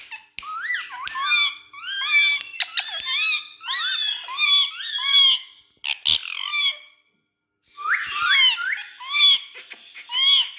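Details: Talking Indian ringneck (rose-ringed parakeet) with two other speaking parrots chatters in quick, high, squeaky bursts with speech-like rises and falls, pausing briefly before another run of mimicked talk.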